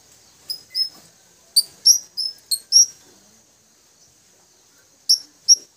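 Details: Twin blue-crowned hanging parrots calling to companions: thin, very high squeaky chirps, nine in all, in loose bursts over three seconds, then a pause before two final sharp notes; quiet background.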